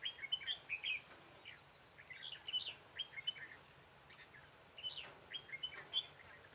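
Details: Red-whiskered bulbul on 21 March 2018, lured with a decoy bird for trapping; clear, rhythmic whistled phrases of several bright notes, repeated in groups with short gaps, over faint background hiss.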